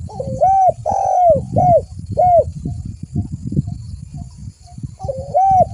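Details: Spotted dove lure call: a run of arched, hollow coos, one long drawn note among short ones, then a pause filled with low rumble before another coo phrase begins at the end.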